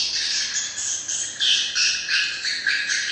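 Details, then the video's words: Swiftlet calls: rapid, overlapping squeaky chirps from a crowd of birds, forming an unbroken high chatter that pulses a few times a second. "Am thanh chim yên"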